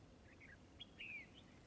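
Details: Red-whiskered bulbul during trapping, in a fighting display, with soft warbled notes leading into a sharp note and a long, falling, clear whistle.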